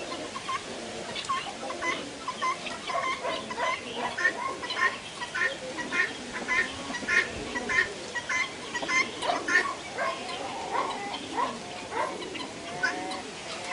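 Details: Helmeted guineafowl on a farm property in Katerini, Greece, give harsh, rapid, rasping calls repeated in a steady chattering rhythm, with some voices in the background.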